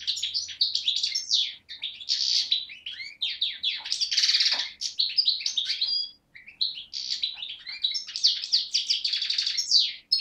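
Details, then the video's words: European goldfinch of the parva race, born 2011, from Beni Snassen on the Moroccan–Algerian border, recorded 8 January 2012, delivers a long run of fast twittering, buzzy trills and sweet chirps with one short break. "chardonneret parva de beni snassen 2011"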